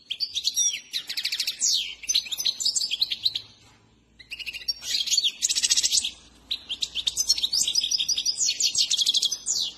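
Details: Saira, a trained goldfinch of the Himalayan kind, in full song. Bursts of fast, bright, chattering twitter are interleaved with buzzy rattles and brief high whistles, and there is a short pause near the middle.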